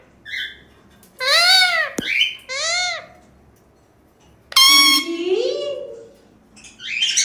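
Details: Indian ringneck parakeet kept as a talking pet, making funny sounds: arched, voice-like chirps, a sharp click, then a loud harmonic whistle sliding into lower warbled notes and closing scratchy squeaks.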